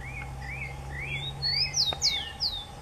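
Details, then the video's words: Singing rufous-collared sparrow: clear whistled notes gliding upward, followed by several piercing, high whistles that slide sharply downward, over a faint steady hum. "TICO TICO CANTANDO"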